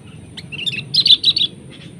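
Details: Sooty-headed bulbul fighting a lure bird, trading attacks. A brief burst of liquid, bubbly chirps rising in loudness, then fading.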